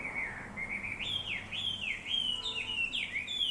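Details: Around sunrise in town, birds in a large black locust tree next to a house sing insistently: bright high twittering in swooping, repeated phrases, each dipping and rising again, steady throughout with faint low hum.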